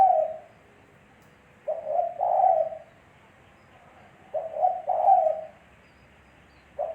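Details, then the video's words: Spotted dove song: repeated low coos, each phrase a quick pair of hoots leading into a drawn-out mellow note. There are long pauses between phrases and no other sounds. "Suara Burung Tekukur Bersih"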